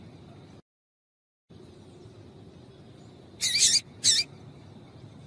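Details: A female papa-capim seedeater calls to set a male singing, two brief, sharp, high chips about half a second apart after a stretch of quiet.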